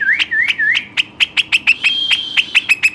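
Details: A pet western rock nuthatch gives loud, whistled upslurred notes, then speeds into a rapid series of sharp, ringing notes about five a second, with faint clicks.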